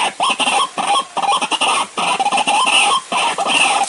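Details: White-breasted waterhen lure call, used for trapping in the dry season: a dense run of loud, harsh, clucking croaks in tight bursts with short gaps between them, grating and continuous.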